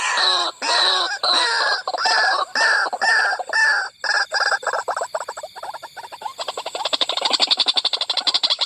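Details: White-breasted waterhen at night around a corn field during bird hunting: loud, harsh, croaking calls repeated about twice a second. They turn into a rapid, rattling chatter near the end, over steady high insect trills.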